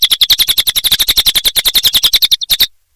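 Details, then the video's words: Cililin bird singing actively: a fast, even chatter of sharp high clicks, about eleven per second, running for over two seconds before a short gap, two last notes and silence. "Suara Burung Cililin Gacor Durasi Panjang"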